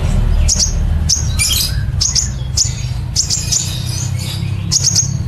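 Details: Kolibri ninja sunbird giving fast 'nembak cililin' song for songbird training: repeated doubled high chirps, brief harsh bursts and quick trills in uneven sequence, over continuous low rumbling background.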